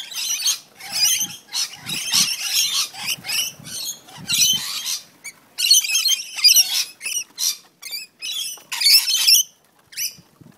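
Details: Rainbow lorikeets squabbling in a back yard on the Central Coast, New South Wales: a near-continuous run of shrill, rasping screeches in rapid bursts, with soft low thumps and scuffles under the calls.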